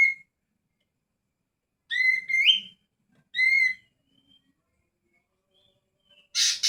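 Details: Greater green leafbird giving short, clear whistled phrases with a rising upslurred note, separated by long silences, ending in a brief harsh burst.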